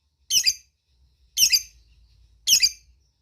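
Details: Lovebird calling for companions, used as a lure sound; three rough, squeaky bursts about a second apart, each breaking into a double note, with low background hum between them.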